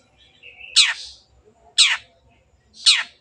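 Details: Long-tailed shrike singing vigorously as a lure to set birds singing: a short flat whistle, then three harsh, falling, scratchy notes about one second apart.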